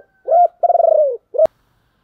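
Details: Spotted dove cooing to lure other doves: a hooked low coo, then a long, rapidly pulsing coo that slides downward, then a brief final coo cut by a sharp click.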